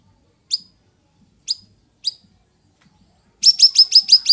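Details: Straw-headed bulbul singing in the afternoon: three separate single swooping whistled notes spaced about a second apart, then a fast rolling burst of six or seven bright, bubbling notes.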